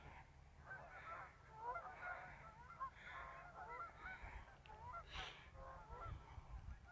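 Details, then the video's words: Geese on a river on a short afternoon scouting trip, 12 11 17; a chorus of overlapping nasal honks from several birds runs throughout, with constant low background rumble. "River Geese"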